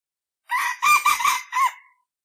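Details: Single rough, hoarse rooster crow recorded in a yard: a short opening note, then a longer wavering middle section and a falling final syllable, about one and a half seconds in all.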